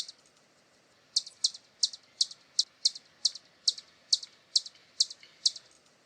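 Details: After a second of near silence, a hummingbird starts a run of sharp, high double-ticked chips, about two per second, fairly even and clear against a quiet background.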